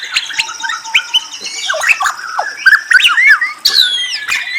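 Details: Varied murai song from a white-rumped shama, mixing short trills, sharp upward- and downward-slurred whistles and squeaky notes, ending in a rising bright whistle.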